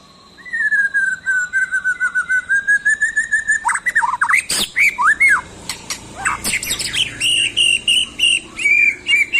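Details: White-rumped shama singing while seeking a rival: a long whistled note held and wavering, then a burst of rapid varied swooping whistles and sharp clicks, continuing in quick choppy phrases.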